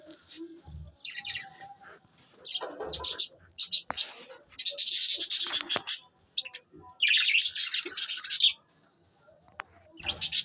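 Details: Captive budgies giving sharp, high chirps in several dense bursts separated by short pauses, with scattered clicks and brief warbles between the bursts.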